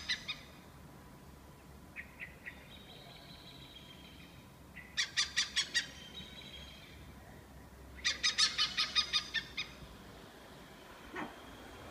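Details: Oriental Pied Hornbills in Sennett Estate, Singapore, give two loud bursts of harsh, rapid cackling notes, about six to eight per burst, with smaller chirps between them.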